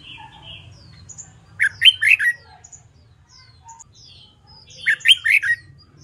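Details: Red-whiskered bulbul practising its fighting-style song. Two clear phrases, about three seconds apart, each of three to four loud, bright, slurred whistles, with faint high chirps from other birds between them.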